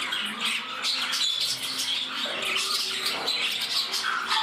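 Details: Budgerigars kept indoors in a new home, one bird growing temperamental while another courts its partner: dense scratchy chattering and squawks, fast clicks and short high notes running without pause, with faint voices in the room.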